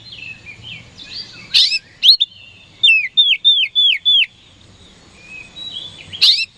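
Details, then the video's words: Oriental magpie-robin song meant to draw a quick response from rival birds: soft warbled notes, a harsh burst, then six evenly spaced, clear downward-slurred whistles, closing with a faint phrase and another burst. "PANCINGAN KACER HARIAN 🔥 Super GACOR Ampuh Bikin Lawan Cepat Respon"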